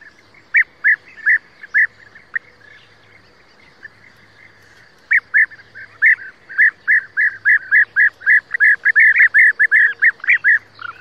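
European bee-eater giving rolling, liquid 'prruip' calls in quick repeated bursts.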